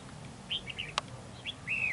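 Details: Red-whiskered bulbul used as a decoy in a territorial fight at a trap: short whistled, slurred phrases in bursts, ending in a longer level note, with one sharp click in between.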